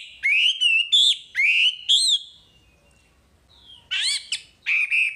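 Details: Wambi singing full masteran material: loud bursts of squeaky, rising whistled phrases about half a second apart, a short quiet gap, then more bright slurred notes.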